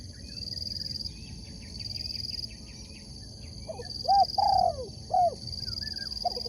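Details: Spotted dove (tekukur) singing at a sport dove competition: a few mellow coo notes near the end, one drawn out, over steady high cricket trilling and pulsing insect buzz.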